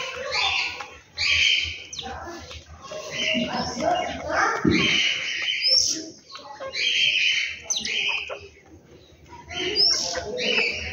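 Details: Birds at home in the morning, giving bright chirps and short warbled phrases in bursts every second or two, several overlapping, with quiet gaps and a faint low hum.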